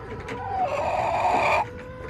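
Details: Backyard hen in July producing a loud drawn-out rising squawk of about one second, harsh and harmonic, preceded by a short call, with low hum behind.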